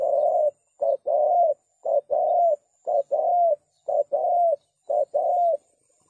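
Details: Spotted dove giving a steady series of loud, mellow coos, used to attract doves for trapping. Short notes alternate with longer, rolling, arched ones in a regular rhythm, about one pair per second, with no other sounds.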